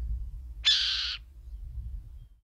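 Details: A Burrowing Owl, a common burrow-digging owl in São Miguel do Iguaçu, Paraná, Brazil, gives one harsh, raspy screech lasting about half a second over a low background rumble.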